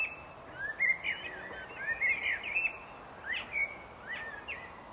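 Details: Common blackbird song: clear whistled phrases repeated in bursts roughly every second, each a swooping, slightly warbling slur, loud against quiet background hiss.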